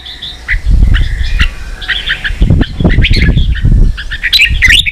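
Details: Caged red-whiskered bulbul in Vietnam roused to compete, giving quick whistled and chattering phrases over loud low thumping and fluttering, likely cage movement or wingbeats.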